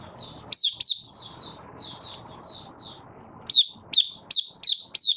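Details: Caged Malaysian Oriental white-eye in minor moult, starting to sing while building form, recorded 24 August 2023: high, thin chips and sharp down-slurred squeaky notes in quick bursts, pausing midway, over a low background rumble.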